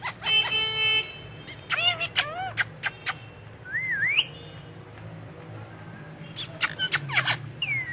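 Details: Ringneck parakeet talking in Urdu/Hindi while perched on pillows: a quick string of clipped harmonic syllables, then a smooth up-and-down whistled phrase, and later a further burst of short notes.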